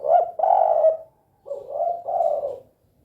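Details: Spotted dove, known locally as tekukur, calling in the 'kuk 2' style: a loud doubled coo, a short gap, then a softer rising note and another double coo.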